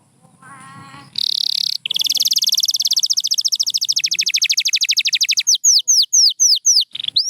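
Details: After a moment of faint background murmur, a pure white canary bursts into a buzzy trill, then a long fast train of rapidly repeated sweeps, closing with evenly spaced rising whistles.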